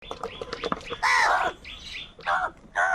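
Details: Many crows calling in the morning while fighting over food; softer rapid chatter gives way to three loud, harsh, drawn-out caws, each about half a second long, spaced roughly a second apart.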